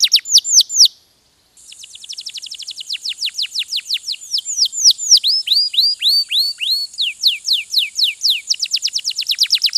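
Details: Posture canary of the Yorkshire or Giboso type in sustained song: long trills of quick downward-sweeping notes, one brief pause near the start, then a thin steady high tone running under the fast rolling phrases to the end.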